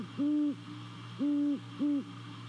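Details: Nest-cam recording from Savannah, 28 December 2020 near 02:39: a great horned owl at the nest gives three deep, even hoots, two long and one shorter, over a low mechanical hum.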